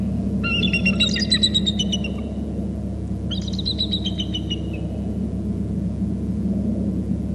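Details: Bald eagles, a pair arriving at the nest on Hornby Island, call excitedly: two bursts of rapid, high, stuttering chitters, each about a second and a half, over steady low rumble.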